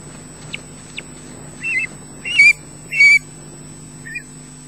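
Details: Osprey chick at the nest at Loch Garten giving a more grown-up shriek: brief thin chips, then three harsh rasping squawks in a row, then a short final note, all over a low steady hum.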